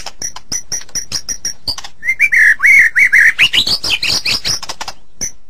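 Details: White-rumped shama recorded as masteran training song, opening with crisp high ticking notes, then a run of fast repeated whistled phrases climbing steadily in pitch toward the end.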